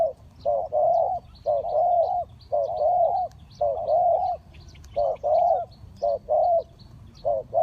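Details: Spotted dove used as a decoy to lure wild birds for trapping, giving repeated low, hollow coos in short two- and three-note phrases, several per second in bursts with brief pauses; faint high chirps from other birds behind.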